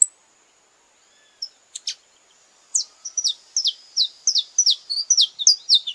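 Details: Saffron finch in Brazil giving its courtship song: a few scattered clicks, then a quickening stream of high, falling chirps in pairs and triplets, with a faint, steady, high-pitched hum in the background.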